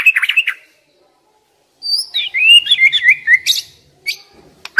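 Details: White-rumped shama song played to make stressed young wild birds sing: a short chattering burst, a pause, then a flowing phrase of high, twisting whistles ending in scattered sharp notes.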